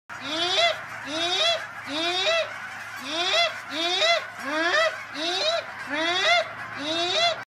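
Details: Angry Canada goose trying to escape the rest of its flock and find a new lake. It gives loud, harsh honks that rise at the start, about eight in seven and a half seconds, over a low steady hum.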